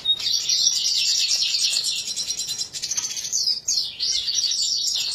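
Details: Red siskin, called طاران فنزويلا, giving a fast, continuous high twittering warble with buzzy trills, briefly breaking near the three-second mark before resuming.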